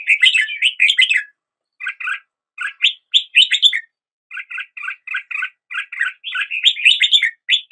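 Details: Red-whiskered bulbul song, dense warbled phrases alternating with series of evenly spaced double-toned chirps, lively and continuous with short breaks.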